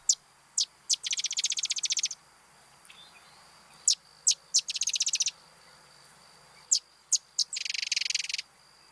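Sedge Wren song, three times: two or three sharp, high chips, then a dry, mechanical rattle about a second long, like a sewing machine.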